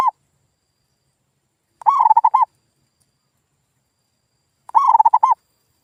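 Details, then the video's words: Zebra dove cooing used as a lure for reluctant local birds: two clear phrases about three seconds apart, each a rapid stammering run of coos ending in a longer rounded note. "SUARA PIKAT PERKUTUT GACOR"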